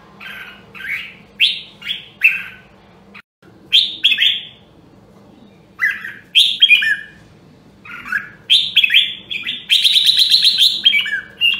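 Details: Red-whiskered bulbul of the Nam Đông Huế voice, kept for voice training: clear slurred whistles in spaced bursts, a short silence near three seconds, and a buzzy rattling phrase around ten seconds.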